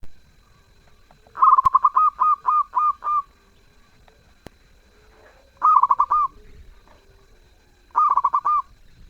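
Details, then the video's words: Zebra dove singing actively with a melodious voice: three bursts of quick, rippling staccato coos, the first longer, then two shorter phrases several seconds apart in a quiet setting. "Perkutut gacor suara merdu"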